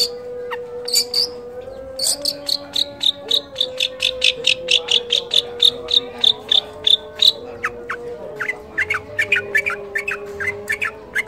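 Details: Long-tailed shrike (cendet) in a training recording packed with mimicked calls of kolibri, trucukan, lakbet and canary: a long, evenly paced string of high, sharp chips, followed by quicker varied squeaks over a steady low tone.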